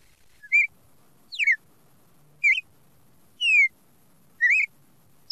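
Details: Red-crested cardinal singing in the classic song style: clear whistled notes, some slurred downward and others rising then falling, delivered singly about once a second in a steady series over a quiet background.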